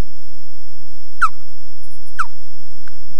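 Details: Osprey defending its nest at Loch Garten, Scotland, recorded on a nest camera with poor sound quality: two sharp, downward-slurred whistled alarm notes about a second apart, then a faint short note, over distorted electrical hum.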